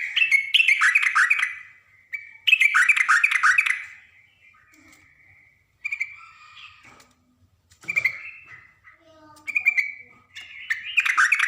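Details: A female yellow-vented bulbul calls a male. Two strong bursts of bubbly chatter open the recording. Quieter scattered notes follow, then short clear whistled phrases, and a final chattering run.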